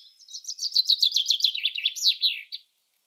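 A Common Chaffinch sings a bright, two-and-a-half-second phrase: a rattling run of notes that slides downward and speeds up, then ends in a brief flourish.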